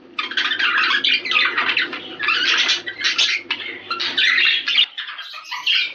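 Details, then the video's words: Budgerigar sound meant to stimulate mating: nonstop rapid, rasping warble mixing squeaky chirps and buzzy notes. It runs without pause for about five seconds, then the background hum cuts out. "اقوي صوت محفز للتزاوج البادجي"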